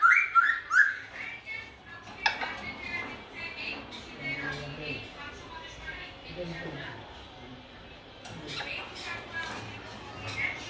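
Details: Grey parrot in Dhaka, Bangladesh, opening with a loud, harmonic squawking run lasting about a second, followed by softer chattering, speech-like murmurs and scattered whistled notes, with another burst of calls near the end.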